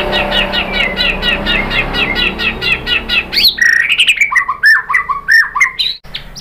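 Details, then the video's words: White-rumped shama song for luring another bird to sing: a fast run of repeated rich, buzzy chirps gives way to varied swooping whistled phrases with abrupt high-pitched flicks. "KICAUAN MURAI BATU merangsang BUNYI jadi EMOSI NYAUT GACOR NGEPLONG BONGKAR ISIAN ¦ PANCINGAN MURAI"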